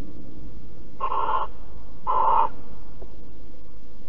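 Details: Barn owls cuddling in Alphen on 5 September 2019 at 09:46 give two harsh, breathy hissing bursts about half a second long, a second apart, over a steady low hum.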